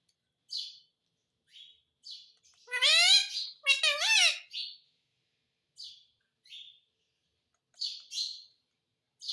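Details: A parrot gives two loud, harsh, harmonic squawks near the middle of the recording. Short high chirps are scattered before and after, with quiet gaps between calls.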